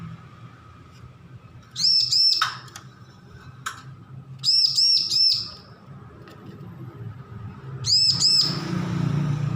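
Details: Hand-reared juvenile bar-winged prinia, just weaned, learning song; three separate clusters of about three to four high, arched chirps, roughly three seconds apart, with a faint low hum.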